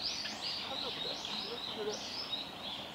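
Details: Oriental greenfinch at the Kita-Fuji training ground on 30 May 2021, from a male and female pair: a run of high, slurred twittering notes, about three per second, rising and falling over a soft hiss.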